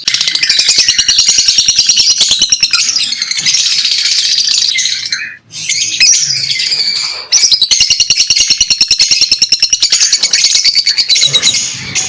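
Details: Lovebirds chirping continuously: a loud, busy chatter of high squeaky notes over rapid ticking pulses, with a brief lull midway before the chatter resumes.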